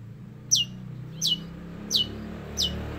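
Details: Long-tailed shrike in a master recording with mimicry of sparrow and prinia: four short, sharply descending high chirps about 0.7 seconds apart, over a steady low hum.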